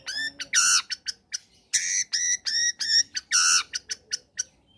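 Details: Long-tailed shrike (cendet) song meant to stimulate other shrikes to sing: loud harsh buzzy notes with rich harmonics alternating with short sharp chips, irregular rhythm, no other sounds.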